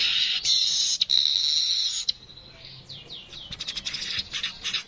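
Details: Streaked weaver in natural voice giving a sustained, sizzling buzz for about two seconds, followed by a few soft descending slurred notes and then a fast, scratchy chatter of clicking notes.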